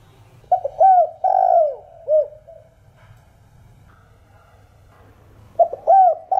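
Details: Cu gáy (spotted dove) giving thổ đồng style calling coos to rouse kept decoy birds: a phrase of soft, bowed hoots opening the recording, then quiet hum, then a fresh phrase starting near the end.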